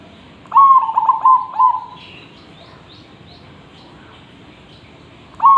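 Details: Zebra dove in full song, offered as a training tutor for other birds: a burst of clipped, stuttered coos sliding into a held low note, then quiet with faint high chirps, and a new phrase starting at the end.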